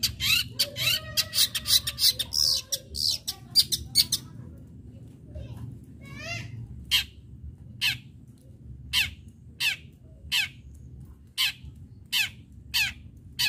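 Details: Long-tailed shrike used as a lure to get other shrikes singing: a fast jumble of chirps and harsh notes for about four seconds, a brief trill, then sharp clicking notes repeated about every half second.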